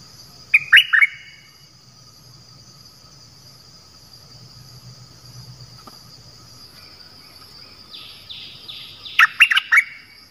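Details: Decoy bird used to lure other birds utters a cluster of sharp falling chirps, a long quiet gap, then soft sliding notes and another loud chirp cluster near the end.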